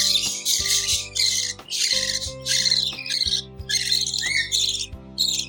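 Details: Hungry budgerigar chicks being fed by their parents give harsh, raspy begging bursts in rapid, uneven succession over soft background music.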